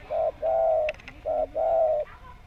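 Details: Spotted dove used as a lure to make other doves respond: four low, smooth, sustained coo notes in two pairs, the second of each pair longer, with a few faint clicks in between.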